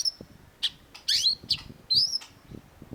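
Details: Sharp-voiced long-tailed shrike (cendet) master song for training cage birds: scattered high whistles and harsh chirps, including one rising slurred note, over faint low background rumble.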